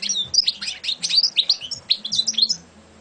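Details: Champion European goldfinch giving a short burst of liquid, chattering song, with bright notes sliding up and down in quick succession about three seconds long; low hum underneath.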